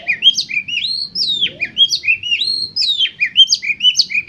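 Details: Song of an Oriental magpie-robin played to get competition birds singing: steady run of loud, clear whistles, each swooping up then dropping, repeated roughly twice a second.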